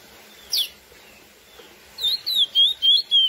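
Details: Classic song of the lesser seed finch, Sporophila angolensis, sung to stir up females: one downslurred whistle, a pause, then a quick string of five bright, wavering whistled phrases at a steady beat.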